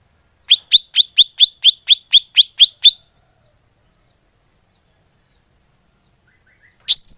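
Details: Greater green leafbird call played as a bird lure: ten crisp, downslurred chip notes at a steady quick pace, about four per second, then a long silence ending with a loud burst of high chattering notes.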